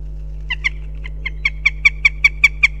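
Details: Goshawks at a nest in Riga, Latvia, on a day of calling and mating: a series of sharp, harsh 'kek' notes that grow louder and come faster, over a steady low electrical hum.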